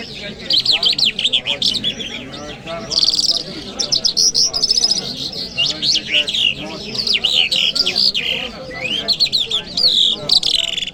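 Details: Continuous lark song, jal mashhadi by its local name, recorded on a Friday morning in Kabul: fast high chirps, slurred whistles and buzzy trills in rhythmic pulses for the full stretch.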